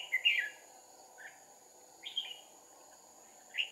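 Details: Red-whiskered bulbul decoy giving fighting song during trapping, 2 April 2019: a loud fluty warbled phrase, a quiet note, then two shorter whistled bursts, over a constant high insect buzz.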